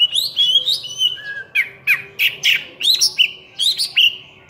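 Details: An oriental magpie-robin in full, energetic song strings together rising whistles and sharp chattering notes about every half second, with a faint steady hum behind.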